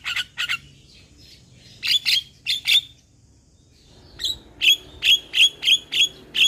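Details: Starling song played as a lure to get other starlings singing: bursts of harsh, buzzy chirps, then a run of about seven sharp, bright notes repeated quickly and irregularly, with faint low background hum.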